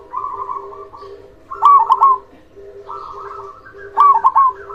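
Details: Local zebra dove with a big voice, used to stir silent doves into song; loud stuttered coo phrases roughly 2.4 seconds apart alternate with softer rolling coos from other doves, over a steady low cooing layer.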